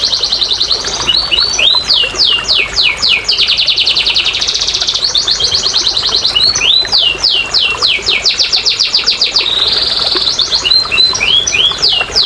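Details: Canary song used as therapy and a lure for canaries that won't sing: long passages of fast repeated descending whistled notes alternating with rolling buzzy trills and looping slurred phrases, bright and high throughout.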